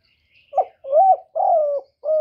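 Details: Spotted dove song with a brief soft sound before it, then a clipped first coo, two drawn-out level coos and the start of a final coo. The phrase is low, mellow and cleanly recorded.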